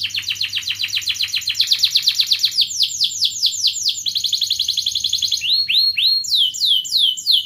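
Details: Lively canary song meant as a lure to prompt lazy canaries to sing, made of rapid repeated downward-slurred whistles that slow into longer sweeping notes, followed by sharp rising chips.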